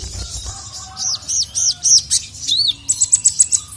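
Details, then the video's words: Captive sogon, female calling a male that answers emotionally. Series of high arched chirps at about four per second, a swooping note, then a rapid run of sharp ticking notes. "SOGON GACOR LANGSUNG NYAUT EMOSI NGAMUK DENGAR SUARA BURUNG SOGON MEMANGGIL JANTAN INI"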